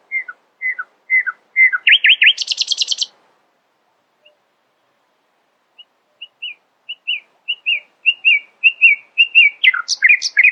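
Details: Long early-morning nightingale sequence: falling whistled slurs, swooping notes and a dense high rattle, a pause, then soft notes building into a louder, faster string of double notes ending in a harsh jumbled flourish.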